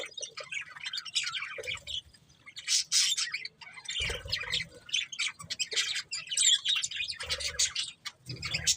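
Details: Budgies give a busy mix of high twittering warbles and short harsh squawks, bursts overlapping and pausing briefly, with occasional low thuds in the background.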